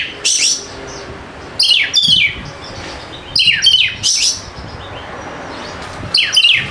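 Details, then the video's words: White-rumped shama song used as a lure to get quiet birds singing: loud bursts of rich, rapidly varied whistles and sweeping high notes, delivered in phrases separated by short pauses. "PANCINGAN AMPUH UNTUK PIKAT KACER YANG MALAS BUNYI SEKETIKA GACOR"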